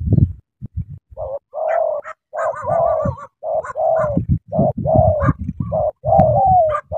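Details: Spotted dove from Cà Mau, described as cooing vigorously: a fast run of hoarse, mid-pitched coo phrases, some slightly wavering, in quick succession with deep thumping low sounds underneath between phrases.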